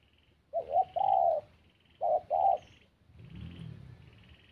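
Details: Spotted dove cooing: two pairs of soft, low, hollow coo notes about a second apart, each pair a short note followed by a longer one, then a faint rumble.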